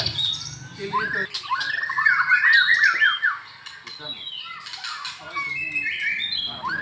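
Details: Caged white-rumped shama from Medan, singing in the afternoon; loud varied song with harsh squawky notes, dense fast chattering warbles and whistled phrases, with pauses and background rustling.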